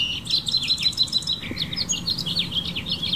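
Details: Male House Finch in a California backyard, perched in the garden and singing to females: an unbroken stream of high, chattering notes with a short buzzy slur midway, other birds close by.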